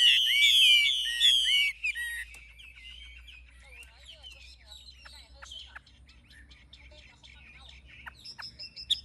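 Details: Adult wild-caught Chinese hwamei, caged, with a forest-voice song: a loud burst of rich, rapid warbled whistles for two seconds, then faint scattered chips and soft notes with a high squeaky phrase near the end.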